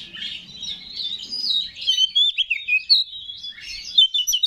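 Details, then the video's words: Oriental magpie-robin, singing to provoke other males: a continuous rambling warble of slurred whistles, becoming louder with sharp emphatic notes toward the end, over faint low hum. "Pancingan Menaikan Emosi K4CER"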